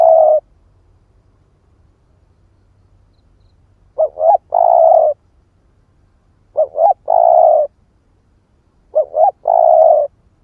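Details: A spotted dove of the 'ức chẻ' type calls to lure other doves. A coo ending opens the clip, then three full phrases come about every two and a half seconds, each two short notes and a long steady coo, in a quiet background.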